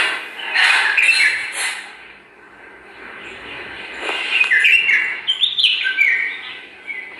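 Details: Bulbuls in a garden, a pair checking and shaping their nest. Bright, rapid chirps and tumbling warbled notes in two bouts, the second longer and busier, over a low steady hiss.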